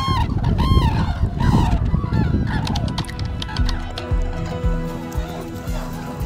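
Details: Red-crowned cranes, wintering at a reserve in Yancheng, China, during a daily flight-release session, give loud, ringing trumpet notes that repeat quickly; later the calls give way to music and a person speaking.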